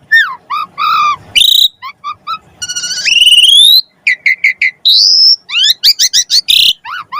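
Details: Asian pied starling in lavish song used as a prompt for other birds: varied phrases of repeated chuckling notes, a long rising whistle, buzzy bursts and sharp slurred whistles, highly varied and loud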